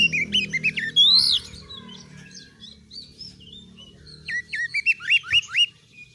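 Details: Oriental magpie-robin singing vigorously, a tutor recording meant to build fighting spirit in other birds: a varied run of rapid rising whistles and sweeping slurred notes, a quieter twittering pause, then a burst of repeated upslurred whistles, with faint low humming behind.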